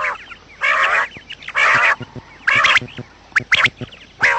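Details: Quail calls used as a trapping lure, said to be morning sounds: harsh, buzzy bursts about half a second long, repeated roughly every second, with thin high chirps scattered between them.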